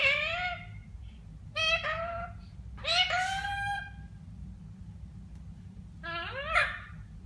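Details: Parrot in India gives four separate loud, drawn-out vocal phrases, each with sweeping, rising-then-falling harmonic tones, spaced about a second or two apart over a constant low hum.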